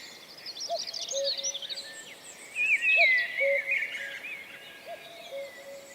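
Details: Common Cuckoo in Wales, April 2004, giving three soft, low cu-coo pairs at steady two-second intervals, each a brief upper note then a held lower one, against loud trilling and warbling songbirds.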